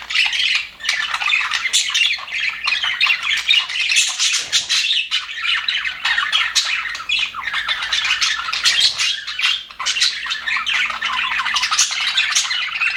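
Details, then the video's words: A group of happy budgies in an aviary fills the air with nonstop twittering, chirps and scratchy warbled phrases from many birds, almost without a gap. "HAPPY BUDGIES SOUNDS"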